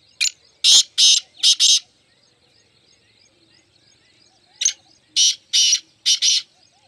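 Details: Black francolin, one of a group of four, giving two grating phrases of four or five harsh, buzzy notes. A quiet pause separates them, with faint chirps from other birds between.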